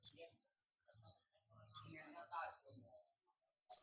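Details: An Oriental white-eye, buxtomi type, in ngalas calling to draw other white-eyes: three loud, high, slurred chirps, spaced about two seconds apart, with soft twitters between them.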